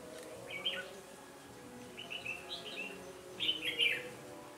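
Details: Red-whiskered bulbul used as a decoy in bird trapping, 13 January 2017; three short warbled, slurred phrases in the upper-middle range, spaced about a second apart, over a steady low hum.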